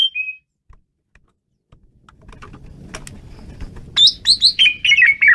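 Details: Asian pied starling singing wildly: one clear whistle opens, followed by quiet rustling and clicks, then a fast burst of loud whistled notes that slur slightly downward, repeated in quick succession about two to three per second.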